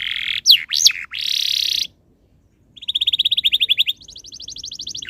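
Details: Canary tutor song aimed at prompting other canaries: looping whistles and a buzzy held note, a silent gap, then a rapid pulsed trill rising to a higher faster trill.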